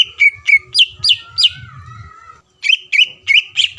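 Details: Kept greater green leafbird sings to rouse a rival: evenly spaced sharp whistled notes, several with upward flicks, a brief lull with a faint sliding tone, then more bright notes in quick succession.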